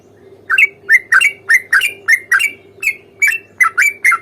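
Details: Sooty-headed bulbul giving its fighting song, rapid 'ropel panjang' type, meant to provoke a reply; after a brief quiet start, a dozen rough, slurred chirps follow quickly and unevenly over a faint continuous hum.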